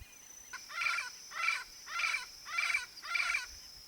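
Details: Yellow-faced parrot, a Brazilian endemic of open Cerrado habitat, giving five harsh, raspy squawks in a steady series roughly every half second, each a broad grating burst, over a faint steady high hiss.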